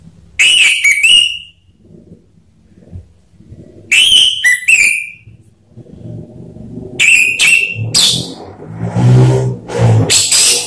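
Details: Orange-headed thrush song used as a lure to prompt other kept thrushes to sing: three loud bursts of harsh chattering notes ending in sliding whistles, separated by pauses, over a low rumble like passing traffic.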